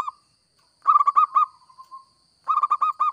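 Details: Actively singing local zebra dove, kept as a lure for trapping, delivers a fast run of staccato cooing notes ending in softer, drawn-out falling coos, then starts a new quick burst, all over a thin steady whine.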